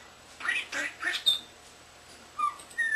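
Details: Young captive common starling imitating speech indoors: three or four short word-like syllables, then brief pure whistled notes after a pause.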